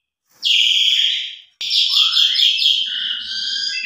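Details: Asian pied starling in lively song with rich fill. Two long, harsh, buzzy phrases, the second carrying a clear rising whistle that ends in a steady tone.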